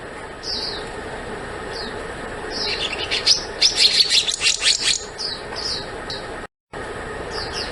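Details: Black-naped monarch calling: short, high, slurred chirps repeat at intervals, broken midway by a quick burst of sharp, chattering notes, over a steady faint background hum.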